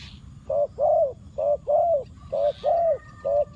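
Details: Spotted dove used as a decoy to call wild doves: steady low coos, short note followed by a longer drawn one, repeated in pairs with brief gaps.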